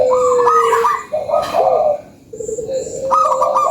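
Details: Lure call of a local zebra dove singing energetically: a long even tone breaks into mellow rolling coos, a short pause, then more bubbling coo notes.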